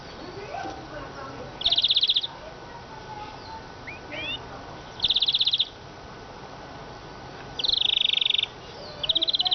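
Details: Eurasian siskin singing: short dense buzzy trills of rapid high notes in bursts of under a second, repeated about every three seconds, with a faint steady hum behind.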